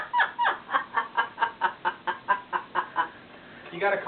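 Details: A five-year-old pet Yellow-naped amazon, believed female, laughing indoors: a rapid run of about fourteen short, evenly spaced chuckling bursts, like a human laugh, ending with a brief louder squawk.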